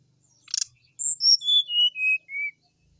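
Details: Sooty-headed bulbul in full song, played to prompt other bulbuls to sing: a short rattly burst, then a falling series of five or six clear, high whistled notes, each lower than the last.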